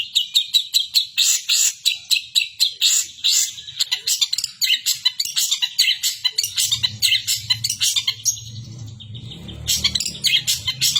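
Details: Long-tailed shrike singing energetically with imitations of the kapas tembak bird: a dense, fast chatter of sharp, scratchy notes in rapid bursts, with a low hum entering during the second half.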